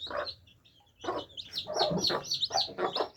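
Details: Baby chickens drinking water, giving high, rapid peeping calls in short bursts with a few lower clucking sounds mixed in.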